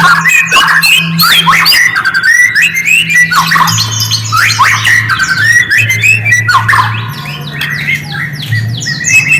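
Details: Lure recording of white-rumped shama singing to provoke other shamas: loud, jumbled phrases of bright whistles, squeaky notes and quick trills tumbling one after another over a constant low droning tone.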